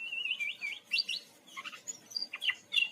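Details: Brown-chested jungle flycatcher song from Bali used as a lure: a wavering whistled opening followed by quick slurred and chipped notes in an uneven, busy sequence.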